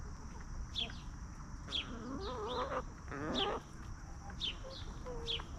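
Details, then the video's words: Backyard hens wander and feed on treats in a free-range yard, breaking into a rolling, wavering series of throaty clucks midway, while small wild birds chirp sharply about once a second over a thin steady hiss. "Chickens Roaming, Snacking & Clucking"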